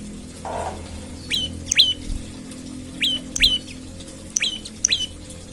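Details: Morning call of an olive-backed tailorbird, played to prompt other birds to sing. Sharp falling chips come in close pairs, three pairs over about five seconds, over a faint background hum.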